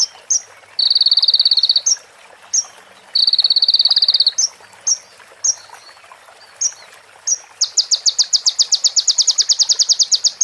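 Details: Konin, the crimson sunbird, in a training recording of copied prinia phrases: two short high buzzy trills with sharp chips, scattered notes, then a long, fast, pulsing rattle-like trill lasting about three seconds.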